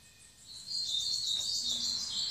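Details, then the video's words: Sibite, or bananaquit, of the 'rabo torno' type singing in 'belga' style: a high, rapid, buzzy trill starting after a quiet moment, over steady background hiss. "Sibite rabo torno batendo belga"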